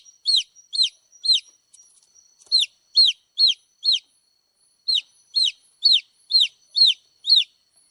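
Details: High-pitched chirps of baby chicks, each a sharp descending peep, given in runs of several with a pause midway, otherwise quiet.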